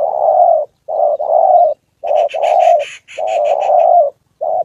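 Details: Gia Lai, Vietnam spotted dove acting as a decoy on the 2 September holiday: loud low coos in short-long pairs, with a buzzy rattling higher sound breaking in midway.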